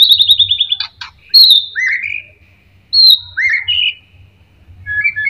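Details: White-rumped shama (murai batu) song used as a lure to provoke other birds to sing: a fast run of clear high notes, then loud rising and falling whistles with pauses between phrases.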